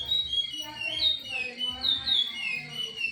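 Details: Curió, the chestnut-bellied seed finch, delivering Timbira-style song: smooth whistles that rise and fall in long, connected slurs, with soft low background hum.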